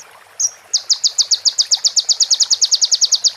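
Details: One thin note, then a fast, regular series of about twenty high sharp chips in a crimson sunbird (konin) training song filled with prenjak and ciblek phrases.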